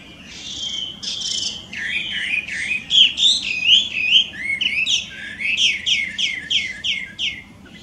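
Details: Wild Chinese hwamei, invasive in Japan, delivering a very loud, varied whistled song that ends in a quick series of sharp, repeated down-slurred notes.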